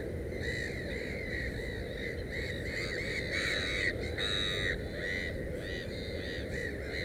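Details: Black-headed gull at a nest with three chicks gives harsh, grating calls in a fast run, nearly three per second, over a steady low rumble of wind or background noise.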